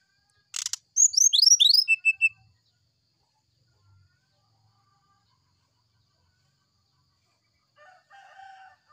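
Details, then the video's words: After a click, an oriental magpie-robin pours out a quick run of high, downslurred whistles in its morning sulingan song, then silence with faint distant chatter at the end. "Suara sulingan srdc di pagi hari"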